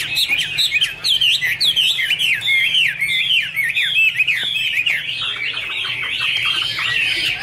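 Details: Chinese hwamei singing a loud, continuous stream of whistled, slurred phrases that rise and fall, each lasting under a second and following one another without pause, with a faint low hum underneath.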